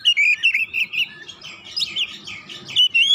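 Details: White-rumped shama challenging a rival with a run of quick whistled warbles, the middle part softer and blurred before clear whistles return at the end.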